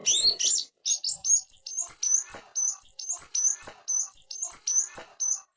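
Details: Greater green leafbird singing in the full, vigorous ngetrok style packed with fill-ins, used as a master recording for training: fast, high whistled phrases with sharp clicky notes, repeated in a quick, uneven rhythm with no other sounds.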